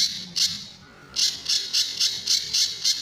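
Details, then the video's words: Sunda bush warbler in tembakan and besetan style, used to train other birds: a single harsh burst, a pause of about three-quarters of a second, then six quick rasping high notes. "Burung Pijantur Gacor"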